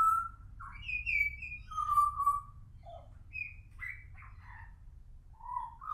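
A young Pied Butcherbird sings clear, fluting whistles, some sliding up or down, in loose irregular phrases over a low steady rumble.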